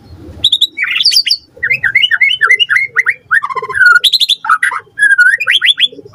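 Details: White-rumped shama singing vigorously in a lure song meant to make other shamas answer: fast run of varied clear whistled phrases, rising slurs and chirpy notes in quick bursts, with a brief low rumble at the start.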